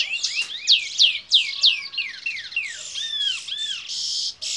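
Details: Canary x red siskin hybrid, a locally bred Fire Red mule from Princes Town, Trinidad, in bullfinch role song. Loud sweeping downslurred notes come first, then lower arched whistles and a harsh buzzy ending.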